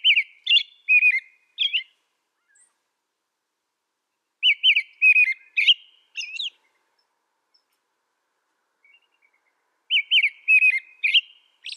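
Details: American robin singing in three separate bursts, each a string of short whistled, warbling caroling phrases sliding up and down, with roughly four seconds of silence between bursts and no other sounds.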